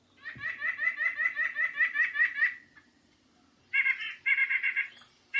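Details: A White-breasted Nuthatch in winter at Sutton, Québec, gives fast runs of nasal, laughing notes, about ten in two seconds, then a pause and a second, slightly harsher burst.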